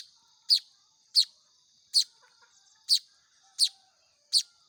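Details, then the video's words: Begging manyar weaver young being hand-fed: six sharp, high-pitched chirps roughly every 0.7 seconds with faint soft twitters between and steady high hiss. "SUARA ANAKAN BURUNG MAYAR"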